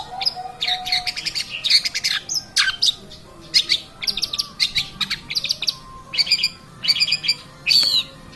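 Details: Long-tailed shrike song used as a lure recording: rapid bursts of sharp chirps and buzzy, harmonic notes, high-pitched and varied, delivered in clusters separated by brief pauses, with a lower steady whistled tone near the start.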